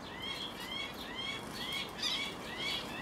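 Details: Guinea turaco (Tauraco persa persa) as a male feeds its roughly three-week-old chick, recorded 11 August 2019 on a Panasonic HDC-SD60: a series of short, high, upward-sweeping chirps, about two each second, over a faint steady background hiss.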